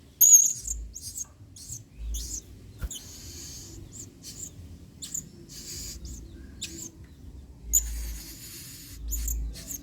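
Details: Blue-crowned hanging parrot singing energetically in its 'main singa' style, a model song for training other birds. Series of sharp, very high, shrill squeaks and short buzzy bursts, irregularly spaced over ten seconds, with a faint low hum behind.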